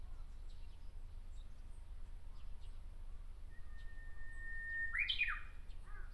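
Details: Japanese bush warbler singing from a tree in Miyakonojo, Miyazaki Prefecture, Japan: one long, steady whistled note held over a second, then a quick, sharp, descending flourish. A low rumble of background noise runs throughout.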